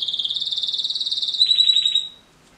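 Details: Canary singing a high, rapid buzzy trill of quick pulses, which shifts into a steadier, clearer pulsed whistle at a slightly lower pitch before stopping abruptly after about two seconds.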